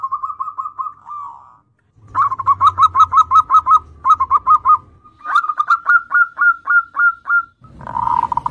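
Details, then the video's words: Zebra dove in full song, used to lure untrained young doves into singing: a short soft trill, then long runs of quick, evenly pitched mellow cooing notes broken by brief gaps, with a faint low hum beneath. "PERKUTUT GACOR syahdu buat Kelangenan Pancingan Perkutut Bahan"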